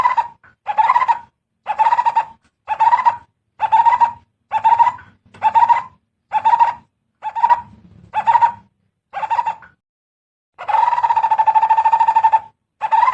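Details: Coppersmith barbet calling: a series of mid-pitched, buzzy, pulsed notes, each about half a second long, repeated roughly every second, followed after a pause by a longer pulsing trill.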